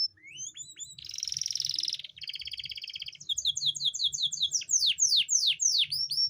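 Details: Canary song used to bring a female canary into breeding condition: short rising chips, two sustained rattling trills, then rapid repeated sweeping notes growing louder, over a faint low hum.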